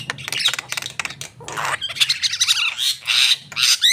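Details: Harsh, noisy squawks and grating chatter from a Javan myna, delivered in dense overlapping bursts with a rough, scratchy tone and little clear whistling.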